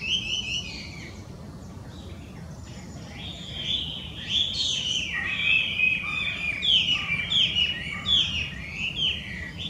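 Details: Wild Chinese hwamei, an invasive bird from China in Japan, opens with a couple of quiet whistles. After a pause it breaks into a loud, rambling series of varied whistled notes, quick trills and slides, lasting several seconds.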